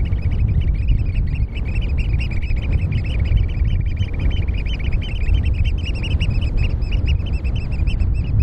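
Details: Eurasian oystercatchers on mud at RSPB Snettisham, Norfolk, UK, 8 May 2018 around 4:07 pm, pipe a rapid, continuous run of shrill high notes over a heavy low rumble of wind.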